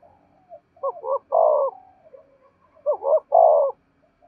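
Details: Lure spotted dove cooing: two quick phrases, each with paired short hooting notes leading into a drawn-out, hoarse, falling coo, repeated after about one and a half seconds, with quiet low murmurs between.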